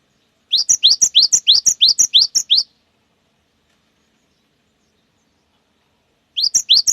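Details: Long 'wucit wucit' song of a cinereous tit, used to provoke other birds: about nine fast, regular rising paired whistles, a long silence, then a new run begins.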